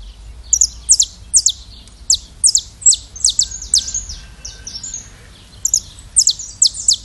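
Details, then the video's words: Brazilian saffron finch song of sharp, high descending chirps, mostly paired or in short bursts spaced under a second apart, over a soft low hum. "Canto do Canário da Terra"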